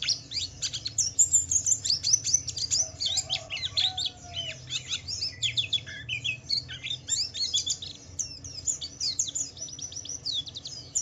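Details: Fast, energetic Javan white-eye song in the wiklus wiksar style, meant to draw other white-eyes into singing; dense streams of high chirps, trills and twittered slides pour out continuously, with a low background hum.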